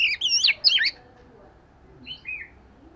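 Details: Oriental magpie-robin, fish-scale variety, practising its song: a loud opening of looping, warbled whistles lasting about a second, then two soft, distant whistled notes over faint background hiss.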